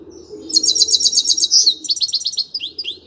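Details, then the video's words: Grey-crowned goldfinch singing: a rapid series of high, bright twittering notes repeated about four per second, shifting into faster descending trills, clear and close against a quiet background. "Пение щегла | пение седоголового щегла. Красивое пение !"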